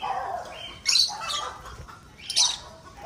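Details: In an aviary where lovebirds are breeding, two loud, raspy screeches stand out about one and a half seconds apart above a busy background of softer chirps.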